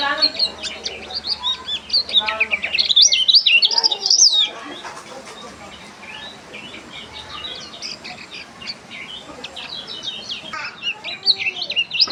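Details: Lemon-bellied white-eye giving a strange sound: busy, high twittering chirps and rapid warbled notes, loudest in the first four seconds, then softer scattered chirps with occasional faint low voices in the background.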